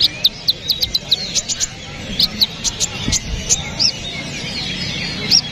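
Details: Kapas tembak bulbul recorded as training material for songbirds: sharp high chirps and short whistled notes, uneven and loosely repeated, over a low murmur of background noise.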